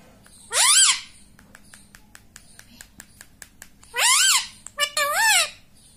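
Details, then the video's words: Caged or house rose-ringed parakeet repeating mummy, as a person does just before: a loud harsh arched syllable, light tapping clicks, then a two-part screechy phrase near the end, inside a small room. "मम्मी मम्मी बोलता तोता - पापा बोलने वाला तोता"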